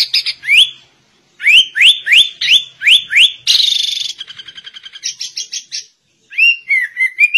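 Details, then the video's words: Sooty-headed bulbul imitating white-rumped shama: series of strongly upslurred whistles about three per second, then a harsh buzzy rattle, rapid ticking notes, and a closing warbled phrase. "Kutilang Rasa Murai Batu"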